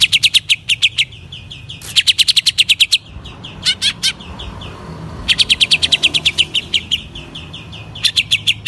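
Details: Energetic greater green leafbird song meant to rouse other leafbirds: long volleys of quick, bright, high-pitched chirped notes in rhythmic runs, broken by brief gaps, with a soft low background rumble.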